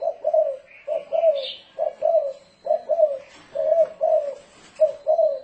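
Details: Spotted dove performing 'thổ rền' coos for luring wild doves: clear low double coos evenly spaced, roughly one pair per second, with a short rising high call from another bird.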